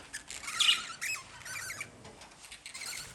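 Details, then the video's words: Lovebird chirping: a grating squawk followed by several shorter harsh chirps separated by brief pauses. "Love Birds Sound"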